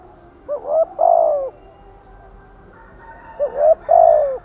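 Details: Spotted dove, thúc gù and gáy gọi song styles: two matching phrases about three seconds apart, each a short rising note, a hooked note, then a longer mellow coo sliding down.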